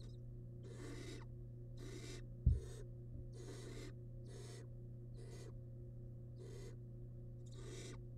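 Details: In a monitored nest box, a wild barn owl nestling swallowing large rabbit remains keeps up a regular series of rasping snore-hisses, about one per second, with a single sharp knock midway.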